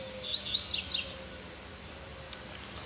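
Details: Caged male double-collared seedeater singing after a female came near its cage: a brief burst of high, sharp chirped notes and quick downward-slurred strokes in the first second, then near silence with faint background hum.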